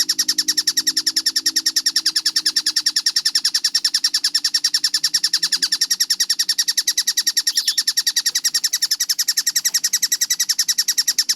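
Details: Collared kingfisher (tengkek buto) in a clear, fast-paced training recording with close note spacing. Harsh, high-pitched chattering notes repeat about three times a second, steady and unbroken for the whole stretch, with a faint low hum beneath.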